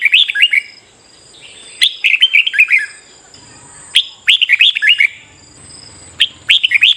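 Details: Morning competitive-singing session of a red-whiskered bulbul: repeated bursts of bright, bubbling, slurred whistled notes, each introduced by a crisp high click-like note, phrases about two seconds apart; faint steady high whine underneath.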